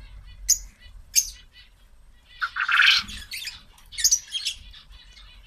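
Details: Captive quail busy eating vegetables make scattered high peeps, then a louder, harsher squawking burst in the middle, followed by more quick chirps.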